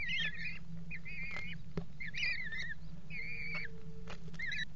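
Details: During mating at a water tower nest box, February 2018, a Eurasian kestrel gives short wavering whining phrases about every second, with knocks and scrapes on wood and a steady low hum.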